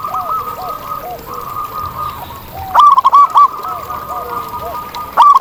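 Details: Wild zebra dove singing in nature: a steady, faint cooing hum with soft low arched notes, then short bright bursts of quick, bubbling coos near the middle and at the end.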